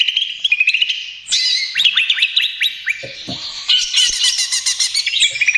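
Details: Greater green leafbird in trotol style, a lure and therapy for other birds. Clear whistles lead into a series of quick upslurred notes, then a dense, buzzy rattling trill.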